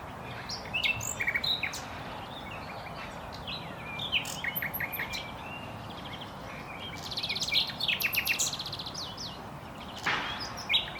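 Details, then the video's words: Common nightingale (Luscinia megarhynchos) delivering several song phrases: rapid repeated clicks and trills, high whistles and scattered chirps separated by short pauses, over constant background noise with a brief broadband thump near the end. "Ruiseñor común (Luscinia megarhynchos) Common nightingale, Usignolo comune, Rouxinol, Nachtigall"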